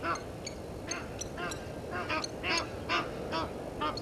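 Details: Egyptian geese disputing with intruder geese at a waterhole on Djuma Game Reserve, Sabi Sand Wildtuin, South Africa; steady series of harsh, nasal honks repeated roughly twice a second over low background rumble.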